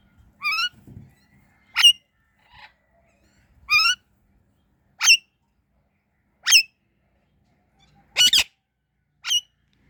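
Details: Shrill, ringing chirps from an Indian ringneck parrot repeated roughly every one to two seconds, with one louder doubled burst near the end.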